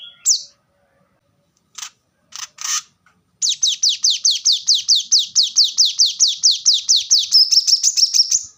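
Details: Plain-throated sunbird, called kolibri kelapa or manggar, singing a rapid train of about twenty high, down-slurred notes after a few scattered chirps, ending in a brief buzzy trill.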